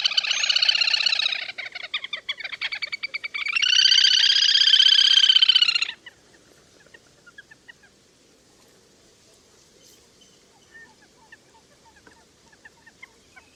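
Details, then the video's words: Lesser whistling duck calls played as a hunting lure: two loud bursts of fast, harsh chattering notes, the second a dense steady run of about two seconds, followed by faint scattered chirps. "Tiếng Chim Le Le Hôi 2021 Mới Nhất"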